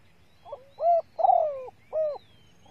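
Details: ['Female spotted dove calling to excite males, used as a lure to stimulate hard-to-rouse birds: a soft short note, then three low hollow coos, the middle one longer and rougher, on a quiet background.']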